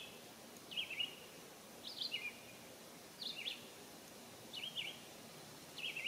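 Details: Bathing American robin at a birdbath, warm summer day in 2022, sings steady whistled phrases, each a quick rising-and-falling pair or trio of notes, repeated roughly every second and a quarter.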